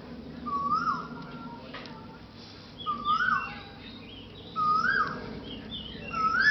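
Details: Common myna (Acridotheres tristis), call.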